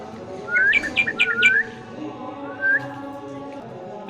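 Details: A pet green parrot, possibly an Alexandrine, gives a quick run of four or five bright, rising whistled chirps, then one more upslurred whistle after a pause, over a low steady hum; parrot.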